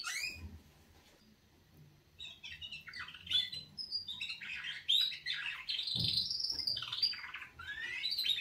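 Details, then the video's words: A canary's wake-up song opens quietly, then builds into fast warbled trills and rising and falling whistled sweeps, with a soft low thump near the sixth second. "Kanarienvögel Weckgesang |||Canaries wake-up song"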